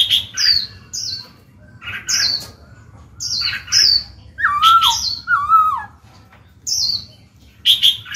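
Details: Song of a caged Black-throated laughingthrush meant to stimulate other birds: repeated high, descending chirp pairs broken by gaps, then a run of wavering mid-pitched whistles.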